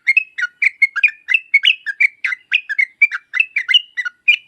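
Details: Yellow-vented bulbul in lively 'gacor' song of the 'uplik uplik tarong ropel' type, meant to make other trucuk reply; a brisk run of clear, slurred whistles, rising and falling, about five notes per second.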